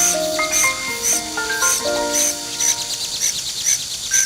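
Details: A fledged juvenile Common Cuckoo in Korea, raised by Vinous-throated Parrotbill foster parents, begs them for food with thin, very high notes, about two a second, over soft background music.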